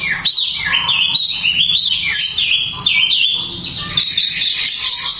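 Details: Long-tailed shrike's rapid, tightly packed 'tembakan' song, claimed to provoke rival shrikes and breeding mood: a continuous run of wavering, warbled whistles and chattering notes rising and falling without pause.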